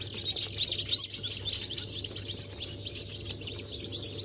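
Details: A batch of new chicks, Brahma, Sultan, Sussex and Wyandotte, hatched 28 January 2024, cheeping rapidly in high, thin, overlapping notes, a few louder peeps near the start, over a low constant hum.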